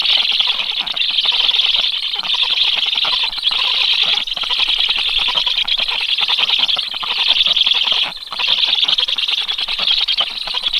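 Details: Black stork chicks in their nest on 13 July at 12:34, chirping by reflex as an unknown black stork moves nearby, readying for a feeding that never comes; dense, continuous high, rapid chirping with brief pauses.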